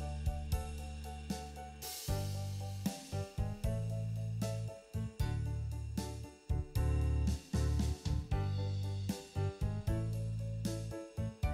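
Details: Bouncy keyboard music with steady bass notes and chords plays throughout, with no animal voice heard.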